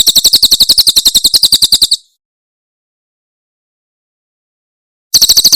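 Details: Javan prinia, Cililin style, giving a two-second burst of quick shrill notes, falling silent for three seconds, then resuming the same rapid high trill.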